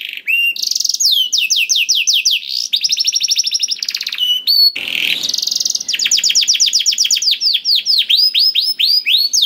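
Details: Canary song meant to get a silent canary singing without pause: long sequence of fast trills and sweeping whistled notes, with a short hissy noise break near five seconds before the trills resume.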